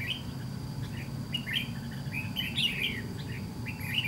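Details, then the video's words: White-cheeked red-whiskered bulbul used as a trap-fighting decoy: lively run of chirpy, warbled notes repeated closely across the whole stretch, over a low droning noise. "Bẫy đấu chào mào MÁ TRẮNG VIP SIÊU PHẨM"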